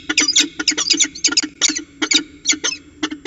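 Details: Loud, grating peregrine falcon chatter during a ritual dance, Orange CSU, NSW, 2020-02-19. Quick paired and tripled harsh notes, rough and screechy, follow each other with barely a pause over three seconds.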